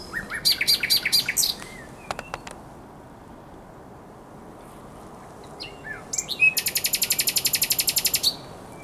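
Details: Common nightingale on the Żerań Canal, night of 23–24 April 2022: a phrase of repeated clipped notes, a silent gap with clicks, then a long fast rattle of some twenty identical pulses.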